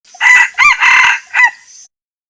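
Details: Male red junglefowl crowing to challenge a rival: a loud four-part crow, a harsh opening note, a short second burst, a long sustained middle section and a brief falling final note, ending in silence.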